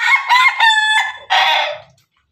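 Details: Pelung and Ketawa (laughing) chickens together; a crow already underway, with a steady held middle tone, a brief gap, then a final harsh burst that fades out.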